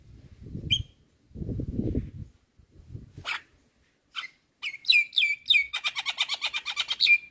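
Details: Javan myna (jalak kebo) singing full isian for songbird training, preceded by low rumbling noise; then a fast, rhythmic series of repeated chattering whistled notes, about three per second.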